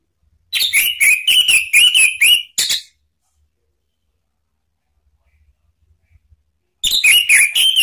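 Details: Orange-headed thrush sounds used to provoke rivals into song: a dense two-second run of repeated whistled notes with sharp clicks, then silence, then the same rapid whistling resumes near the end.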